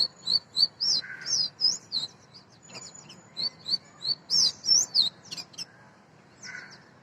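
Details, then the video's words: Quick series of bright, high whistled chirps from an Oriental magpie-robin, the national bird of Bangladesh, delivered in bursts, then a pause and a few scattered notes toward the end. "Call Of Magpie Robin ll Sound Of National Bird Of Bangladesh"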